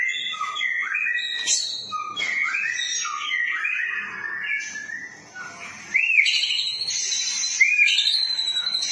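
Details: White-rumped shama delivering continuous cililin-style song for tutoring captive birds: fast tumbling whistles and trills weaving up and down, then two strong rising whistled notes followed by high ringing phrases.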